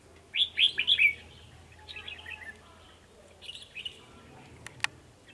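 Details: Two male red-whiskered bulbuls challenging a decoy bird during trapping, 9 December 2020; a loud run of four fast rising slurred notes opens, followed by softer warbles, a brief later phrase and one sharp click.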